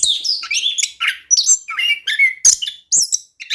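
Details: Orange-headed thrush singing nonstop in gacor style with rolling phrases, a lure for a reluctant thrush: dense warbled and whistled notes mixing high squeaks and lower slurred tones, barely pausing.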